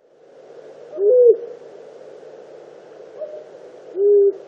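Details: {'caption': 'Disturbed long-eared owl near its nest giving two short, low, hooting barks with a slight upward inflection, about three seconds apart, over a steady low hiss.'}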